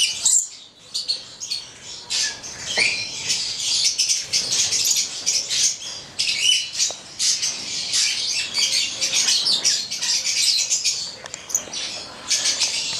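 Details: Pair of Stella's lorikeets, Charmosyna papou goliathina, the male red and the female black, kept in an aviary, calling with sustained shrill squeals and rapid chatter over several seconds.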